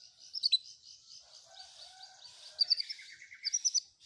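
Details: Long-tailed shrike song from a fill-in combination track: soft, high twittering with a quieter lower warble underneath, rising to quick bursts of three or four loud sharp notes near the end.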